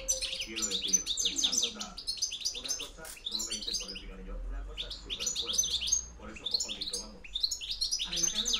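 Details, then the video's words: European goldfinch in the 'campero' field style used as a lure: a dense, high, liquid twittering of rapid chirps and trills in bursts, with a short pause near the middle, over a faint low hum. "JILGUERO RECLAMO 2013-2014 PEGANDO FUERTE CAMPERO"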